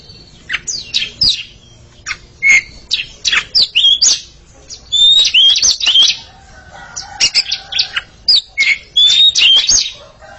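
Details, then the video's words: Oriental magpie-robin pair singing back and forth, a dense stream of rapid, high chips, squeaky twitters and short clear whistles in busy clusters, almost without pause over ten seconds. "Sepasang kacer sedang beradu kicauan"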